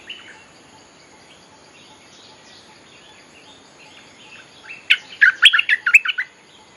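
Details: Bulbul song played as a lure for wild birds, with faint distant warbling for several seconds, then a loud burst of rapid, chattering, liquid notes near the end.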